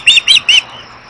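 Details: Upset Osprey mother calling at a Missoula, Montana nest holding two chicks, nest camera, June 2011: three rapid, piercing high whistled squeals in under a second, then quiet.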